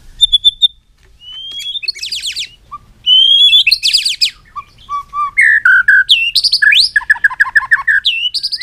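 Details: White-rumped shama in full varied song, mixing pure high whistles, harsh raspy bursts, low fluty notes and quick chattering trills, richly changing phrase to phrase.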